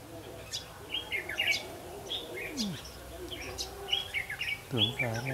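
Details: Red-whiskered bulbul filmed during trapping on 8 October 2016. Clear warbled whistles come in short varied phrases around a second apart, with other birds chirping. A low, wavering harmonic call from another animal enters near the end.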